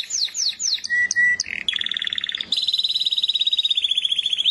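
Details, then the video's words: Canary pouring out quick falling slurs, short low whistles, a buzzy note, then a long rapid trill of pulsed notes slowly descending in pitch. "زقزقه العصافير طيور الكنار كناري"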